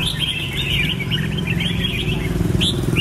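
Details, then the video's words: Red-whiskered bulbul singing a run of bright, warbled, slurred notes with quick rising and falling inflections, backed by a steady rumble of passing traffic. "Red-whiskered bulbul (Pycnonotus jocosus) Chants Extreme Peak"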